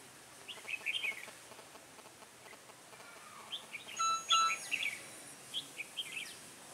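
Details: Red-whiskered bulbul, a decoy bird used for trapping on a cold, windy day, 16 December 2017; bursts of bright, chirpy warbled phrases, with a brief steady tone midway, over faint wind.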